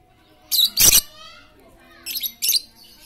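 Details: Very chatty lovebird used as a lure to get silent lovebirds singing: two shrill, harsh screeching bursts, then two shorter ones about a second and a half later, over a faint low hum.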